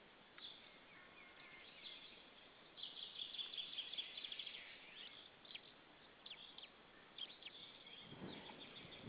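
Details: White-tailed eagle pair at their nest at Saunja, Estonia, on 26 April 2013 around 19:20 in the evening, both shouting at another white-tailed eagle. A rapid run of sharp, high yelping notes, then scattered single yelps and a low rumbling noise near the end.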